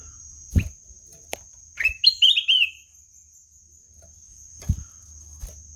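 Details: Ruby-throated bulbul gives one sweet, warbling phrase of rising then tumbling whistled notes. Sharp clicks and taps are heard before and after it over a faint low hum.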